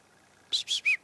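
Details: A chickadee visiting a hunter's tree stand in the morning in 2008 gives a quick run of harsh, buzzy high notes, each slightly lower than the last, spaced about a fifth of a second apart.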